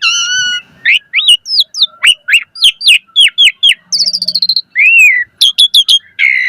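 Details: Asian pied starling singing a rich, lively song to prompt other birds to respond: a harmonic whistle, rapid upslurred chirps, a fast trill, a smooth arched whistle and closing sharp notes.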